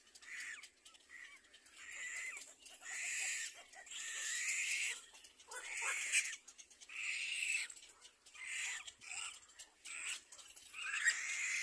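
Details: Little black cormorant baby calling while fed by its mother: rough, hissy squeals repeated in an irregular run, some short and clipped, others drawn out, ending with a louder rising wail.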